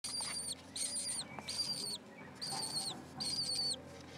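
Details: Four lesser kestrel chicks about six days old, in a nest beside an unhatched egg on a school roof in Alona, give high, hoarse, wavering squeals in five bursts of roughly half a second, with short quiet gaps between them.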